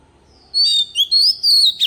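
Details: Oriental magpie-robin decoy giving forest-type song for voice training of young birds: four loud whistled phrases in under two seconds, gliding up and down, ending on a sharp buzzy flourish.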